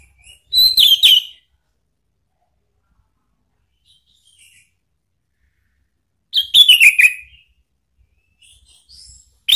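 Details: Orange-headed thrush song used as a lure to make a pet bird answer: two loud bursts of rich, slurred descending whistles mixed with harsh scratchy notes, about six seconds apart, with near silence between.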